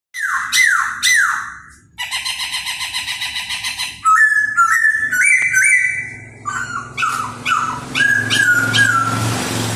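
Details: Laughingthrush singing in a fiery display while dancing: descending whistled slurs, then a rapid run of harmonic-rich notes, then a series of loud, clear whistles climbing in steps, ending in jumbled warbling phrases.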